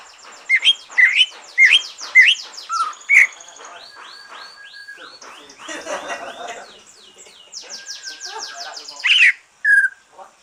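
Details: Green leafbird singing after finishing its moult, used as a stimulus for other birds: a run of sharp upslurred whistled notes, then a buzzy, rattling stretch of mimicked phrases, closing with a few clear whistles.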